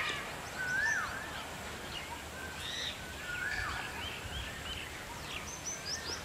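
An Indian peafowl gives two short rising-and-falling cries a few seconds apart, over steady background hiss and faint chirps from other birds.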